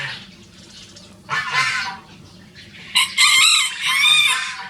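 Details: Free-ranging Rosecomb bantam show roosters, two birds crowing as a duet: bursts of loud, high, strained crowing near the start and again in the last two seconds, separated by quieter gaps.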